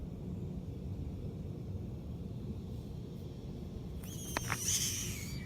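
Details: A roof-nesting Common Nighthawk hisses defensively with its mouth gaping wide: a short, breathy, broadband hiss in two rough bursts near the end, after a steady low room rumble.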